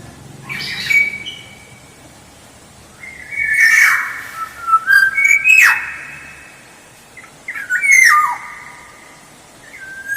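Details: Black-naped oriole song played as a lure, three whistled phrases of rising fluty notes, each mixed with harsh downward rasps, separated by quiet gaps of a second or two.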